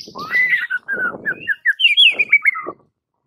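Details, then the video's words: White-rumped shama master song used to train silent birds: smooth whistled notes over a soft rustling background, then a rapid series of bright descending slurred whistles before silence. "Murai Batu BISU seketika langsung TERPIKAT dengan MASTERAN murai batu ini"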